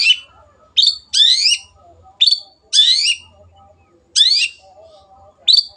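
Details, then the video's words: Long-tailed shrike in vigorous 'gacor' tutor song: harsh, rasping bursts mixed with sharp whistled notes, coming in separate phrases roughly a second apart, with quiet gaps between. "MASTERAN BURUNG CENDET GACOR"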